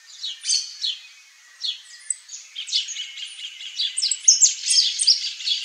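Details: Saffron finch singing a lively, jumbled series of high chirps and buzzy trills that build toward the end, notes tumbling rapidly with brief pauses between phrases.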